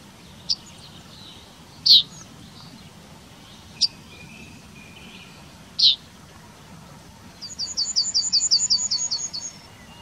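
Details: Yellowhammer in Wittlich town, 2019: a few scattered sharp high call notes spaced seconds apart, then a fast rattling series of about ten high repeated notes near the end.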